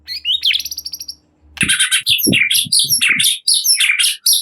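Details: White-rumped shama lure song meant to get another shama singing: a whistled phrase with fast stuttered trill, then a loud, dense burst of harsh, overlapping high notes with a lower rasp.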